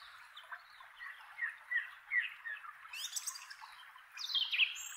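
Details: A male song thrush gives its characteristic treetop song from a chestnut tree in inland Kapiti, New Zealand: short, varied phrases, soft chirps first, then louder, sharper ringing notes near the end, with faint background hiss.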